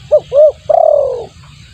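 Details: Spotted dove lure call: two short arched coos then a single long, slightly pulsing coo sliding down in pitch, low hum underneath.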